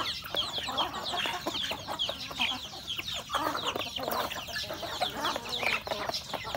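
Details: Chickens, roosters and a hen at home in a rural setting while eating breakfast: soft repeated clucks and murmurs from several birds amid constant pecking and scratching clicks, fairly busy and close.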